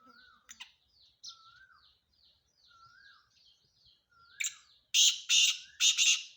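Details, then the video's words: Male black francolin calling: loud, harsh, grating bursts toward the end. Earlier come several softer rising whistled notes and thin chirps from other birds. "کالا تیتر کی اواز"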